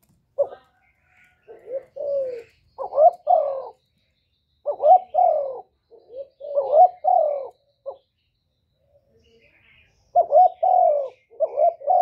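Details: Spotted dove cooing, used as a lure to make kept doves sing. Deep coo phrases come in uneven groups with a long quiet gap around nine seconds, then resume with paired, downslurred notes.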